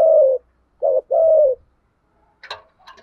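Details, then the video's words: Spotted dove giving a fighting coo in the 'thổ' voice: a long falling coo, then a short note and a second drawn-out coo, followed by faint clattering and rustling sounds. "Chim cu gáy gù đấu. tiếng chim cu gáy thúc đấu và gù đấu giọng thổ cực hay"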